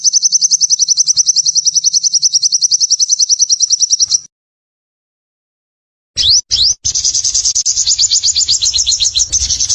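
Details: Energetic sunbird song: a sustained high, rapid, evenly pulsed trill lasting about four seconds, silence, then sharp rising chips followed by a loud, buzzy, wavering high trill.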